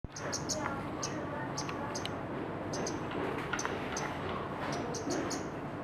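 Scarlet-backed flowerpecker giving very high, thin ticking notes in quick, uneven bursts, several per second, over a steady wash of background hiss.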